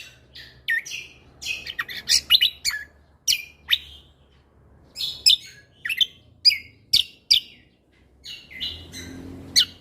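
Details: Lesser green leafbird, a cage bird, singing in a vigorous style: dense clusters of sharp chips and whistled notes in bursts, with brief quiet gaps between series.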